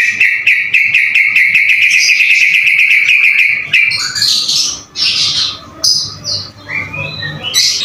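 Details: White-rumped shama (murai batu) delivering a long rapid rattling trill, followed by scattered loud whistles, harsh squeaky notes and quick varied phrases.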